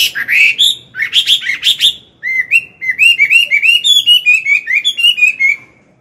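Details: Old wild-caught Chinese hwamei singing in the morning to train a young bird: rich whistled phrases opening with harsh-edged notes, then a long string of quick, slightly descending slurred whistles.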